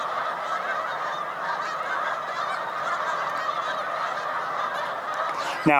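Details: Huge resting flocks of Snow Geese, mostly white morph with some blue morph, on Cayuga Lake, New York, in spring migration, 20 March 2021: continuous massed honking, then a sudden loud close call at the very end.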